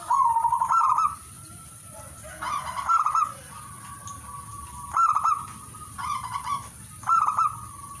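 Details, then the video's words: Zebra dove, known locally as perkutut, singing: bubbly trilled cooing phrases, each about half a second to a second long with a rolling texture, recurring several times over a steady high hiss. "singing birds of turtledove"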